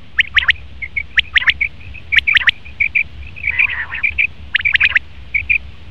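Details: Male common quail triplets, quick sharp pips in threes, mixed with a stream of softer thin chirping notes from other birds throughout.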